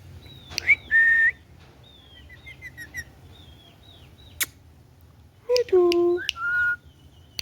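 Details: Green ringneck parrot kept as a pet gives soft high chirps and a flat whistle, then one loud, voice-like, drawn-out syllable and a final whistled note in a quiet indoor setting.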